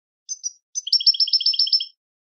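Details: A European goldfinch sings two brief high chirps followed by a fast, even trill of tinkling double notes repeated for about a second, clean and without background sound.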